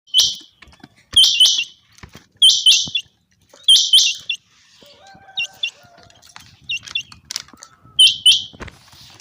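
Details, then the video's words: A common quail in a summer meadow gives sharp, liquid three-note 'whit wit-wit' phrases about every second and a half, with faint lower whistles from other birds between. "common quail. bird sounds from summer meadow"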